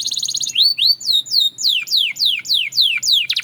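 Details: Belgian canary song used as a training aid: a slurred rising whistle followed by a steady run of loud, high falling notes repeated about four times a second.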